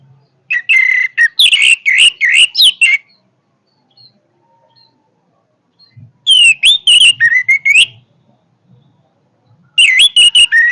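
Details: Three vigorous bursts of orange-headed thrush song, each a quick jumble of loud whistled and chirped notes with rising and falling slurs, broken by short silences.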